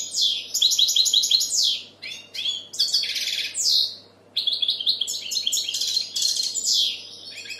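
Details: Powerful European goldfinch song, meant to bring in females and stimulate young goldfinches: dense, fast, high twittering phrases with descending buzzy slurs and two brief gaps, low hum in the background.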